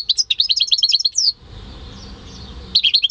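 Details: Caged goldfinch × canary hybrid from a home breeding, recorded May 2015: a quick tinkling string of high chirps ending in a down-slurred whistle, a brief quiet gap with faint low hum, then twittering resumes.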